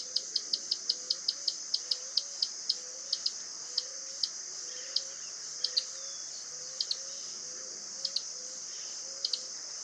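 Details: Common tody-flycatcher, a small, restless bird common in cities that sings year-round and whose song is likened to winding a clock: sharp, dry ticks in quick irregular runs over a steady high hiss and soft low repeated notes.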